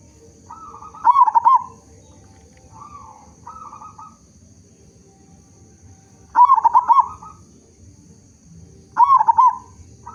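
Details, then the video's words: Local zebra dove with a big voice, sung as a lure to get other zebra doves singing: three loud bursts of rapid, bubbling coos near the start, middle and end, with softer steady tonal notes between and a faint constant high whine. "Perkutut Lokal Gacor Suara Besar Cocok Untuk Pancingan Semua Jenis Burung Perkutut Agar Bunyi"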